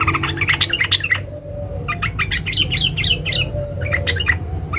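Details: A female yellow-vented bulbul calls a male with dense, rapid chattering: two bouts of quick, scratchy, warbled notes broken by a short gap, over a low background hum.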